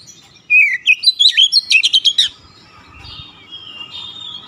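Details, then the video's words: Oriental magpie-robin giving one rich phrase of slurred whistles and rapid sharp notes, then falling to faint distant chirps. "KICAUAN OBAT KACER SETRES CEPAT SEMBUH DAN GACOR NGOTOT BONGKAR ISIAN"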